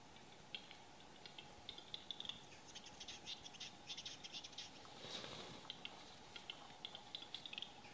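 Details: Capercaillie at the lek in Salla, Lapland, Finland, 2021: a long series of sharp, dry clicks, irregular and sometimes doubled, over steady broadband background noise.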